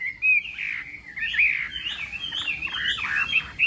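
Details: A Chinese hwamei sings a blurred, rolling run of warbled whistles during morning contest-style voice training, sound fairly even and continuous with occasional louder accents.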